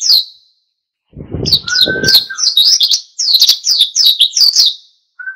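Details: Oriental white-eye singing in a lively, constant wild style, meant to provoke other birds into singing: rapid high twittering phrases in dense bursts, with a steady lower whistle and a brief low rumbling noise near the start.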